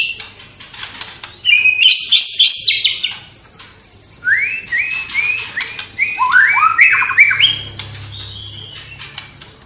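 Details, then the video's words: Energetic white-rumped shama (murai batu gacor) whose song includes borrowed sparrow, lovebird-fight and kapas tembak sounds. Varied bursts of sweet whistles, chattering notes, and a series of five or six rising slurred whistles, separated by short pauses. "Murai Batu Gacor Isian Gereja Tarung Love Bird Kapas Tembak"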